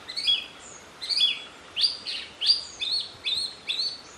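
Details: Yellow-legged Thrush (sabiá-una) song in the coastal Atlantic Forest of Paraná, Brazil: about seven high, thin whistled phrases, each sliding and slightly buzzy, delivered roughly every half second over a faint forest hiss.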